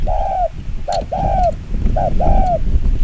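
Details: Spotted dove (Vietnamese chim quân tử) cooing rapidly in the chiêu gù kích bổi style: a long falling coo, then a clipped note and another drawn-out slurred coo, repeated at a quick pace over steady low background noise.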